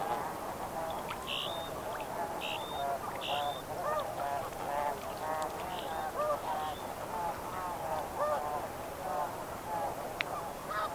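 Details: Snow Goose flock at medium distance calling steadily with overlapping nasal honks, while short, clear whistled notes from another bird sound several times in the first half.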